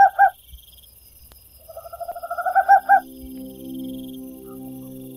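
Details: Song of a tropical screech owl: two strong hoots, a pause, then a trill of low purring notes that swells and ends in several emphatic hoots, followed by soft sustained background music.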